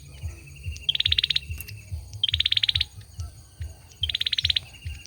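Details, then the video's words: Olive-backed sunbird male in song: three rapid pulsed trills of high, bright notes roughly one and a half seconds apart. Pauses between them are filled with a low pulsing rumble. "Tiếng chim sâu dừa hót | Tiếng sâu dừa trống hót"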